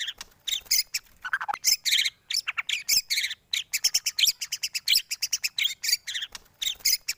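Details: White-rumped shama song used as a morning training track to prompt kept shamas to sing: dense, high-pitched outpouring of rapid chattering and sharp whistled notes in quick bursts, barely pausing, with one lower slurred phrase early on.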